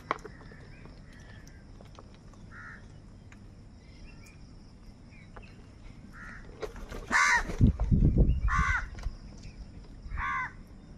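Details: Several crows squabbling over food. Faint distant caws come first, then louder harsh caws in quick succession near the end, with a burst of low thumping noise in the middle.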